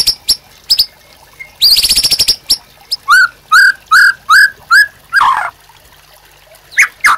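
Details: White-rumped shama singing, used to train captive birds: scattered clicks, a buzzy rapid rattle, then evenly spaced clear whistled notes and a harsher downslurred note.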